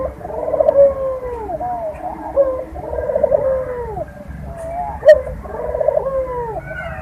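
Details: Barbary dove mating coos used as a breeding lure: three long, vibrating coo phrases with drawn-out arching tails, spaced a few seconds apart, one marked by a sharp tick.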